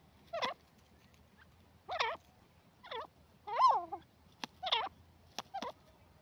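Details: Teetar, black francolin: a series of harsh, creaky calls with rising and falling squeaky notes, given about once a second, plus sharp clicks, against a quiet background.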